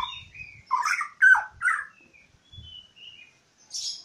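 A magpie robin sings a quick run of varied whistled and slurred notes, some rich and some scratchy, ending on a brief high hiss.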